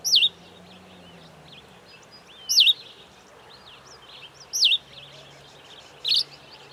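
A Cape sparrow gives four bright, high chirps, each a quick swooping twist of pitch, spaced about two seconds apart over a faint low hum.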